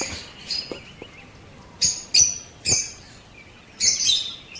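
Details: Pet lovebirds in blue colour varieties, opaline and parblue opaline, in Pakistan. A few isolated shrill squeaks and sharp high chirps are spaced by pauses of about a second, and the background is quiet.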